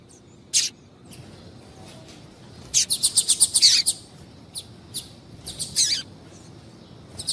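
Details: A female double-collared seedeater calls to excite the male: a lone sharp chirp, then a fast burst of around eight high buzzy chirps, followed by scattered fainter single chirps against a soft steady background.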